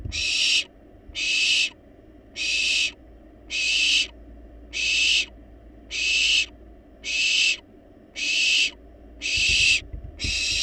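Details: Wild barn owl chicks in a monitored nest box demanding food despite being well fed; harsh, hissing snore-like calls about 0.6 seconds long, repeated steadily roughly every 1.2 seconds, broadband and loud, with low background hum.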